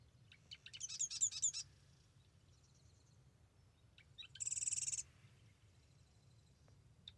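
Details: Marsh Wren at Arcata Marsh Bird Sanctuary in the morning: two song bursts, a rapid, high, rattling stutter and then a dense buzzy trill about three seconds later, over a faint low hum.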